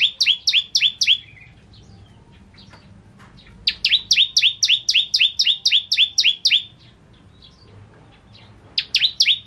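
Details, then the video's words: Bar-winged prinia in lively song on a tutor recording for training songbirds: bouts of quick double notes, a high click then a lower rising chirp, rattled off about four per second, with quiet pauses between bouts. "Burung Masteran Ciblek Kristal Gacor"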